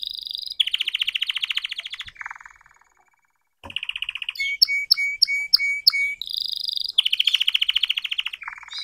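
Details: Young red canary practising its song: long rapid high trills, a lower buzzy trill, a brief silence, then a series of ringing chipped notes and renewed fast trilling.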